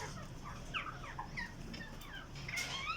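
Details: Alexandrine parakeets in breeding cages give a string of short, harsh, bending squawks and rising-falling calls, several overlapping, over a low background rumble.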